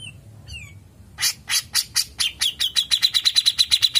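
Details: Kept grey-cheeked bulbul singing long ngepik phrases as a tutor: after a faint upslurred whistle, harsh chipping notes speed up into a fast, regular run of bright ringing notes, about five per second.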